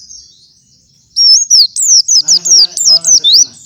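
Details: White-eye singing a morning gacoran as master song for other white-eyes: after a quiet start, loud high sliding whistles repeat quickly, with a faint low voice-like sound beneath.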